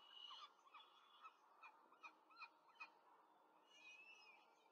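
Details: Feeding time at a peregrine falcon nest in Rome, 5 May 2023, four chicks fed by the female on a nest camera; soft rasping notes, then about six short squeaky calls spaced roughly every half second.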